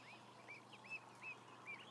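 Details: Ducklings from a flock of about a thousand give clear, high whistled peeps, each rising then falling, four distinct calls within two seconds over a faint low hum.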